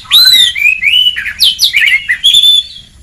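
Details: White-rumped shama song in ngeplong style for stimulating lazy birds: continuous loud whistled phrases, arching and falling notes run together without pause.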